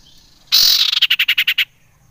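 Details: Common iora lure sound for stimulating other ioras: a loud harsh rasping note followed by a quick, evenly spaced stutter of short notes lasting about a second.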